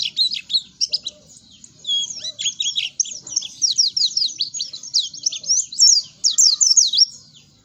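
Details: Oriental white-eye song used as a lure to make captive birds sing quickly: a dense, continuous stream of high, thin twittering and chirping notes with rapid up-and-down slurs, nearly unbroken throughout.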